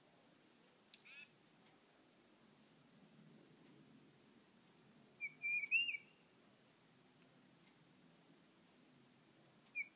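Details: Tufted titmouse at a bird feeder, singing rather than calling; a high sharp chip with a downward sweep early on, then a clear whistled phrase of several notes mid-clip, another starting at the end.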